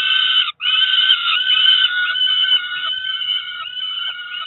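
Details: Two Peregrine falcon chicks about four weeks old calling at a Cromer nest during breakfast, June 2023: an almost unbroken harsh wailing scream, slightly wavering in pitch, fading a little toward the end.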